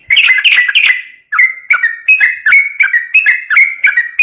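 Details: Quick ropel song from a sooty-headed bulbul, a training lure for untrained bulbuls; a loud burst of bubbly notes, a short pause, then evenly spaced whistled notes repeated about three per second.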